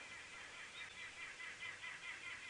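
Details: Green wood hoopoes cackle in a rapid, rhythmic chatter of harsh, mid-high notes, rising and falling in bursts over steady background hiss; heard at dawn on a sunrise safari drive at a dam on Djuma Game Reserve, South Africa, 21 January.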